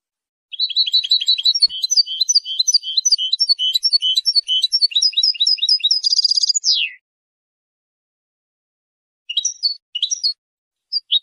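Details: European goldfinch singing to defend its territory and attract females, a long unbroken run of fast twittering, tinkling and buzzy notes ending in a descending slur, then a few scattered chirps after a pause; no other sounds.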